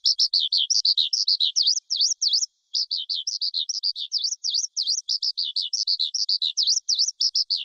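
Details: A forest skylark, its song used to stimulate wild-caught birds, for trapping or to train young birds' voices, pours out a fast, unbroken stream of high twittering and trilled notes, broken by one brief pause, with no other sounds.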